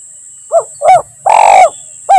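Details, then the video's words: Spotted dove cooing as a lure for forest trapping, 'Kuk 1 Mersik' style: a soft short note, a stronger short coo, a long grating coo, then a clipped final coo, with a continuous high-pitched tone behind. "Suara Burung Tekukur Gacor || Pancingan Suara Tekukur Paling Di Cari Pemikat"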